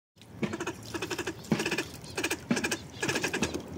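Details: Kept northern pintails of wild European stock calling: nasal, pulsed bursts in rapid rattling series, each burst lasting about half a second and repeated roughly every second, with a low background hum.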